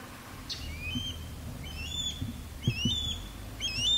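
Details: Osprey courtship calls during a male's sky dance over a backyard, female in a longleaf pine; thinner, more distant upslurred whistles building in strength, with some low thumps and background noise.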